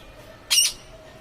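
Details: Parrot giving one short, harsh, broadband squawk lasting about a quarter second, with otherwise quiet surroundings.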